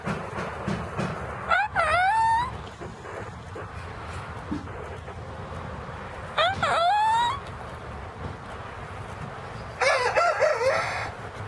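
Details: Cockerel making weird noises: three short, squeaky crows, each rising then breaking downward, spaced a few seconds apart over a steady low rumble of background noise.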